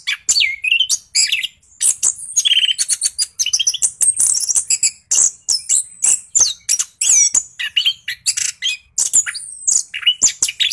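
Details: Orange-headed thrush in full 'gacor ngeroll' rolling song, used as a lure to stir quiet thrushes into singing; a dense, nonstop stream of high, varied whistles, sharp chips and buzzy trills with very short gaps.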